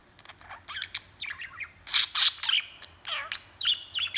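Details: Pet budgerigar talking and chattering, handheld recording: a busy run of chirps, squawky notes and warbled rising and falling whistles in quick irregular bursts, some sharp loud peaks, with a steady low hum underneath.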